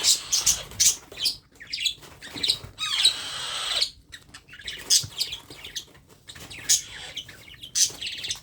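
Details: Parrot chick at hand-feeding time repeats loud harsh rasping hisses in irregular bursts, including one longer drawn-out rasp, with short pauses between groups.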